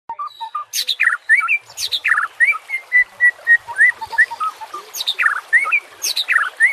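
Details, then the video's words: A white-rumped shama sings a rich, fast run of varied phrases, clear slurred whistles mixed with sharp high chips and buzzy trills, almost without pause, with nature sounds and trickling water. "PANCINGAN murai BATU pasti langsung TAK BISA DIAM | pancingan murai TERBAIK"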